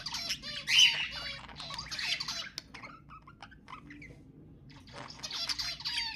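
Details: Budgerigars chattering to get pet budgies singing: bursts of buzzy, scratchy warbling with squeaks, a quieter patch of scattered clicks in the middle, then the chatter resumes.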